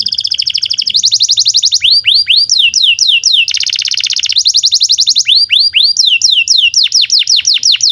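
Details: Canary in full training song for young or silent canaries, alternating fast whirring trills with series of loud, clear downward-sweeping whistles, changing phrases every second or two.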